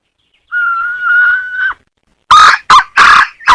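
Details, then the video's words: Chicken giving a drawn-out, steady whistled tone lasting over a second, then after a pause a burst of very loud, harsh squawks. "Suab poj qaib seev dib tuaj zoo heev"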